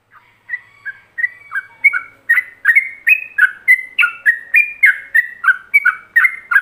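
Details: Yellow-vented bulbul singing in the ropelan style, a master song meant for other bulbuls to copy: short whistled notes swinging between higher and lower pitches, about three per second, quiet at first and then steady and loud.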